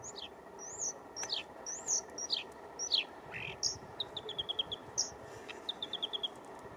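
Bluethroat singing a lively, varied spring song: high whistled and down-slurred notes, then quick runs of five or six ringing ticks, over a soft steady hiss.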